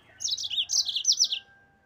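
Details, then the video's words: Yellow-fronted canary used to train cage birds, delivering one brisk phrase of high, bright warbled notes that step down and up in quick succession. "MASTERAN BURUNG MOZAMBIK GACOR NGEROL"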